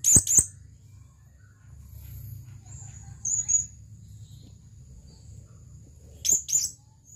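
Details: Male blue-crowned hanging parrot calling to a female with doubled high, shrill chips at the start and end, a softer high twitter in between, over low steady hum.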